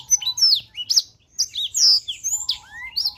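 A black-throated canary sings a fast, varied warble of high, sweet twitters and sliding whistles in quick bursts with brief pauses.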